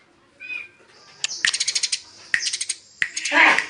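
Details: Fighting Eurasian tree sparrows give short sharp chirps followed by quick runs of harsh, pulsed, high-pitched chatter, three bursts in under four seconds, ending in a louder rasping note.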